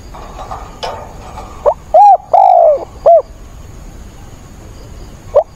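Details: Spotted dove decoy calling through a rainstorm on 28 October: faint background noise, then one loud phrase of a soft note and three husky coos with a long sagging middle note, and a single soft note afterward.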